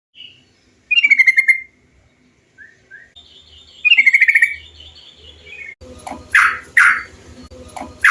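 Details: Bulbul song used as a lure to stimulate other bulbuls to sing: two loud, rattling phrases that slide downward and repeat several seconds apart, then harsher buzzy notes with a low background hum.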